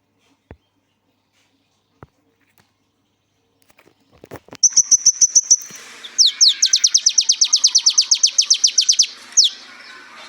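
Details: Sunbird (kolibri ninja) song for training other birds. After a few soft clicks, a buzzy high note is followed by a rapid, regular series of sharp descending chips, about twenty in a row, ending in one loud slur.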